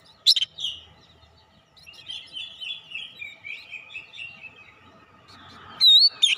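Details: Oriental magpie-robin with fighter character, used as therapy for an untrained bird: a sharp opening note, then a soft wavering run of repeated notes, ending with a loud high slurred whistle.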